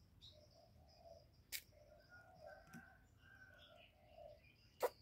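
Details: Spotted dove calling to stimulate males in the 'giọng thổ' style: soft low coos repeated in a phrase, with some higher bird notes and a few sharp clicks.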